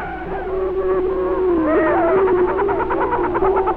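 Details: Greater Prairie-Chicken on a prairie booming ground in Benton County, Missouri, displaying with raised pinnae and foot stamping, giving low, hollow, hooting notes that hold a steady pitch and waver slightly, with faint overlapping calls behind and a hiss throughout.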